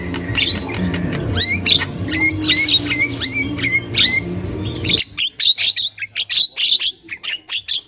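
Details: Wild Javan myna, a female's chatter intended to lure young birds: repeated short upslurred whistles about every half second over steady hum, then a burst of harsh, clipped chatter notes after the hum stops.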